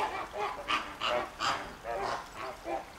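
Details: Noisy flamingos at Llanelli Wetland Centre, Wales, 21 August 2021: a quick run of goose-like honks, about seven loud nasal notes in three seconds, over softer background calling.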